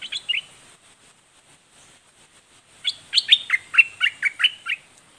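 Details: Red-whiskered bulbul, dok taeng song style: a short three-note opening, a pause, then a lively phrase of about eight down-slurred whistled notes in quick succession.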